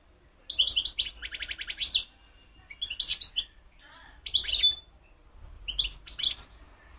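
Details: European goldfinch singing, called mqnin locally: bright twittering phrases high-pitched, with liquid trills and buzzy rattles, delivered in four separate bursts separated by short pauses; faint low hum underneath.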